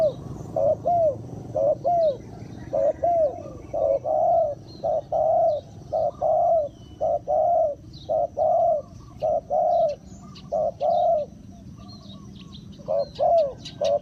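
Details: Decoy spotted dove calling to draw in wild birds: a long run of arched, mid-pitched coos, often doubled, at about one per second, with faint high chirps of other birds in the background.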